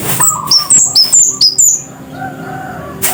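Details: Scarlet-headed flowerpecker, locally cit kersen, rattling off about seven loud, sharp, very high chips within a second and a half, then falling quiet apart from faint lower whistles in the background.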